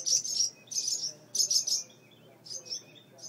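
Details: High scolding chirps from birds guarding two nestlings in a mud nest on a front porch light, triggered by the door opening: three loud double- and triple-note bursts, then softer calls fading.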